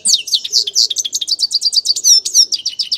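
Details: Fast, lively song from a grey-crowned goldfinch: a steady stream of high, sharp chirping notes with tinkling downward slurs, delivered without pause.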